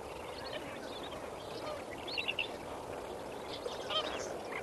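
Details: Sunrise at Kamfers Dam on 18 May 2024, with a large gathering of Lesser Flamingos. A continuous low murmur of the flock carries clearer goose-like honks and clustered chattering calls, loudest near the middle and end.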